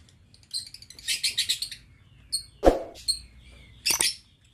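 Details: Aviary lovebirds, November 2022: a run of five quick raspy chatter notes, a few thin high chirps, a dull thump in the cage, then a final short shrill burst.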